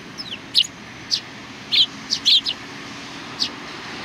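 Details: Sparrows gathering to greet a visitor, 27 July 2020, utter loud, bright chirps in short clusters, some doubled or tripled in quick succession, with a fainter chirp near the end and light background noise.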